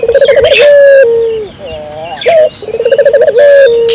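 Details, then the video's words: Energetic Barbary dove whose calls are meant to spur local doves to answer: deep rolling, pulsed coos each ending in a level held tone, heard twice with a quieter double note between, plus faint high bird chirps. "suara burung puter gacor,merangsang burung puter lokal ikut gacor"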